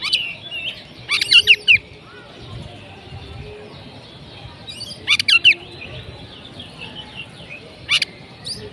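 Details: Oriental magpie-robin in 'konslet' style: short bursts of harsh, buzzy chattering notes with sharp chips, repeated in clusters about every four seconds over a low rumbling background hiss.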